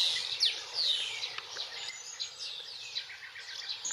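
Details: European bee-eaters in Extremadura, Spain, in spring: soft, rolling high-pitched trilled calls from several birds, uneven and overlapping, some louder notes near the start, against faint outdoor background.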